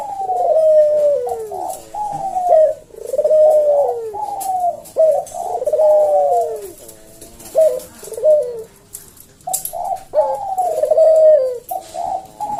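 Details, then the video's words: Javan collared dove kept in a cage, singing the slow 'senggang' type of 'kuk deruk' cooing meant as a model for cage birds: a long run of deep, hollow coos, each swelling then sagging, about twenty a minute. "Burung puter jawa kuk deruk manggung merdu suara SLOW SENGGANG"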